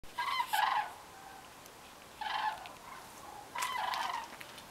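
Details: Common cranes migrating south in flocks at night over the French Pyrenees near Aspet. Three loud, harsh trumpeting bugles with rich overtones come at intervals of about one and a half seconds over a steady background hiss.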